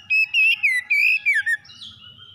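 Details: Morning song of an Oriental magpie-robin: six quick, loud whistled notes, some rising and some swooping downward, delivered in a tight run, then a softer trailing whistle fading out.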